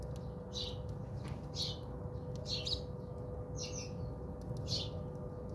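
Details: Bathing house sparrows at a home in South Africa chirp in brief paired and tripled cheeps about once a second, with a soft continuous hum behind.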